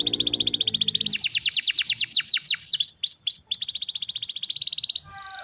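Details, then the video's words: Canary 'tembakan rapat' tutor song: a buzzy high trill opening into a string of fast downward-sweeping notes, a few rising curved whistles, then a renewed buzzy trill that stops abruptly. "MASTERAN KENARI FULL TEMBAKAN RAPAT"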